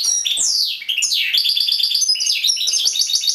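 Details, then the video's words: Short burst of song from a caged European goldfinch: sweeping downward whistles followed by quick tinkling, repeated chirpy notes in a lively, jangling sequence. "European Goldfinch Singing in Cage"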